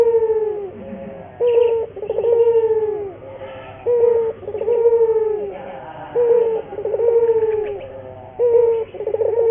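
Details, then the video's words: Lure song of a local burung puter, the Barbary dove, meant to get other doves singing: soft, resonant coos, each a short note then a long descending purr, repeated about every two seconds over a low background hum. "pancingan burung puter gacor, melatih burung puter lokal agar cepat gacor."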